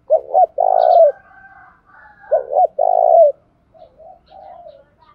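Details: Decoy spotted dove calling at dawn to provoke rival males: two strong phrases of a quick double note then a long mellow coo, about a second apart, followed by faint murmurs.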